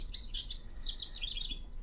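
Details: In spring, a male House Wren that has been stuffing sticks into a nest box sings at its territory edge to attract a female: a rapid, chattering jumble of high bubbly notes for nearly two seconds, with faint low background rumble.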